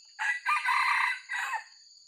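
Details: White-legged wild junglefowl, a decoy bird for luring, gives a clipped, raspy crow of several quick bursts ending in a falling tail, about one and a half seconds long, with a constant shrill insect hum behind it.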